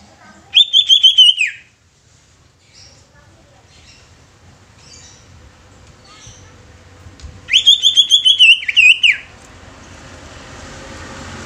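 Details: Greater green leafbird song used to stir other leafbirds to sing: two bursts of rapid, trilled high whistles about seven seconds apart, each ending in a downslurred note, separated by near silence.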